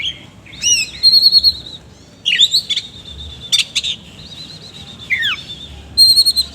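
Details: Oriental magpie-robin singing loudly with rough mimicked phrases: clear sustained whistles broken by buzzy bursts and a falling slur, in bursts with short pauses.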